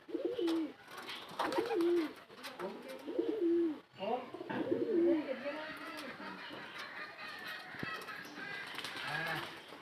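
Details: Native Bangladeshi pigeon giving low, rolling coos, each phrase swelling and dipping, repeated about every one and a half seconds over the first five seconds, then fading into a hiss of indoor noise with faint voices.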